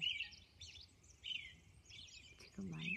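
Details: Robin singing at dawn on Orcas Island, a few slurred whistled phrases with pauses, a man's voice starting briefly near the end.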